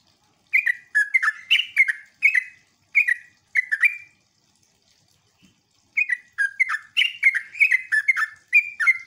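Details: Lure song of a sooty-headed bulbul to get other bulbuls answering, jogjog and ngeropel style: chattering falling phrases for about three seconds, a two-second silence, then the lively notes resume.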